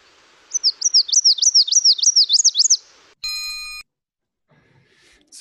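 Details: Nashville Warbler song from a second individual: a steady run of about eight high, rolling notes that rise and fall. A brief electronic beep follows, then faint rustling.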